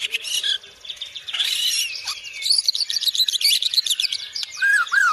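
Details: A White-rumped shama delivers dense high-pitched song: rapid scratchy chatter and trills, a fast buzzy series, closing with two clear down-slurred whistles.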